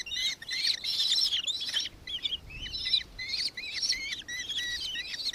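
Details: Recorded in Victoria, Australia, on 4 December 2024, a nankeen kestrel gives loud shrill chattering, then a slightly softer series of paired high notes at a steady pace.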